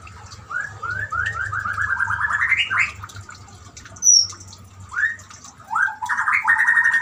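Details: White-rumped shama over trickling water, played to make a silent caged shama sing: rising series of rapid repeated notes, a high whistle, then more fast trills with low water murmur beneath.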